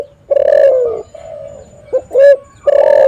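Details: Spotted dove calling, recorded as a lure for trapping wild birds. A long husky coo is followed by a brief clipped note, then another loud coo begins. Quieter hums from other doves sit underneath.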